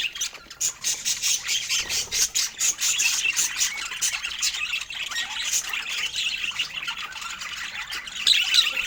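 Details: Pet budgerigars feeding on fruit, chirping in a stream of clicky, pulsing notes that blend into continuous high scratchy warbling.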